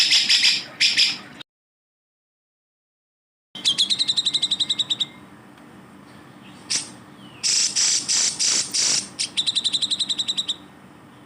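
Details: Grey-cheeked bulbul singing as a training recording for other songbirds. Brief buzzy notes, a gap of silence, then fast repeated high stuttering trills mixed with harsh rasping bursts.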